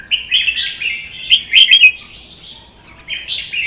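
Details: Red-whiskered bulbul singing in a Vietnamese contest between a captive-bred bird and a wild-caught adult, both caged; a continuous run of fluty, warbling whistles, with a quick cluster of sharp notes near the middle.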